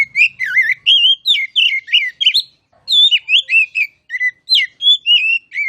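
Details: Kacer (oriental magpie-robin) delivering a loud ngeplong-style tutor song: rolling, wavering whistles and crisp chirps packed tightly, one brief pause near the middle.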